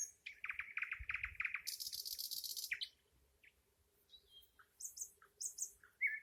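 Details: Nightingale pouring out a rapid run of rich, throbbing notes that leads into a sustained high, hissing trill, then quieter isolated chirps and clicks, closing with a bright whistled note.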